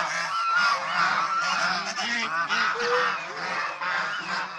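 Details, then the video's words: Chorus of domestic Chinese swan geese during play, bathing and squabbles. Harsh, brassy honks overlap steadily, one clearer upward-bending note standing out near the middle amid the constant flock noise. "Domestic Swan Goose, Behaviour, Playing, Bathing, Resting, Fighting"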